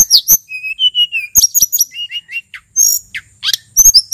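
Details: Singing male sulingan, endemic to Mount Merapi and used as a lure: a few clear level whistles, then clicks, short rising notes and a shrill high buzzy phrase.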